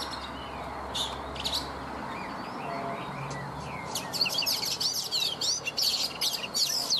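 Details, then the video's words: Morning song of a wild-caught Oriental magpie-robin caged for three seasons: soft faint slurs at first, then a dense burst of rapid, high, scratchy chattering notes. "Chòe Than già rừng - 3 mùa lồng hót buổi sáng"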